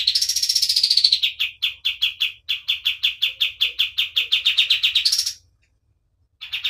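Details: Kapas tembak white-eye in lively song for tutoring: opens with a high buzzy trill, then settles into a steady string of sharp chirps repeated nearly three times a second, rising again before silence and a brief final note.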